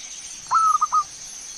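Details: A single brief zebra dove phrase from a lure recording meant to make birds sing: one drawn-out coo followed by two short clipped notes, over faint hiss.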